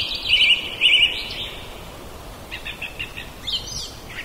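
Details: A common blackbird in a back yard sings a bright warbled phrase, then a string of short quick notes and a thin squeaky flourish at the end, over a steady background hiss.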